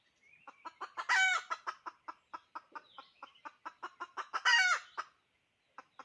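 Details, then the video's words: Hen gives a steady run of short clucks about four a second, broken twice by a loud, harsh, drawn-out squawk rich in overtones. Each squawk is followed by more rhythmic clucking. "Poj qaib dib tsauj thiab seev zoo เสยงเมยไก่ต่อกะร้อง"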